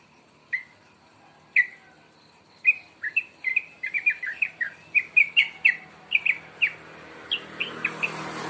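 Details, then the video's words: Young sooty-headed bulbul, two months old, beginning to sing; clean spaced chirps at first, then a quicker run of sharp downslurred and hooked notes, with faint hiss rising near the end. "burung Trucuk 2bln mulai bunyi"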